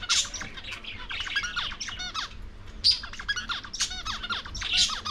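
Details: Lovebirds eating corn keep up a busy stream of sharp, high chirps and squeaky chatter, several birds calling over one another without a steady rhythm.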